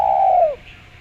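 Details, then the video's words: Spotted dove with a clear voice for luring, a single smooth coo, held steady then sliding down at the end. "Derkuku suara jernih buat pancingan"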